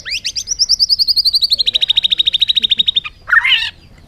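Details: A bird pours out a long fast trill of about thirty evenly repeated notes, starting high and stepping slightly lower, then ends with a short harsh buzzy phrase; light background hum.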